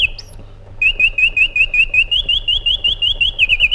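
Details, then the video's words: Iraqi bulbul delivering a long rapid series of slurred, wavering whistled notes at a steady pitch, roughly three per second, after a brief high note and a short pause. "Magnificent Harmony by an Iraqi Bulbul"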